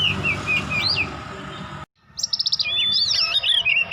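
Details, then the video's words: Young oriental magpie-robin beginning to learn its song: clear whistled phrases with slurred rising and falling notes, a brief silent break, then a rapid buzzy trill followed by more varied warbling whistles over low background hum. "Burung Kacer muda joss mulai belajar main"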